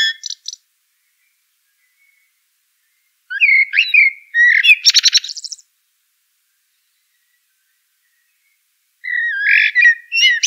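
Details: Eurasian blackbird singing: fluty whistled phrases followed by a squeaky high twittering flourish, separated by long silent pauses, with one more phrase starting near the end.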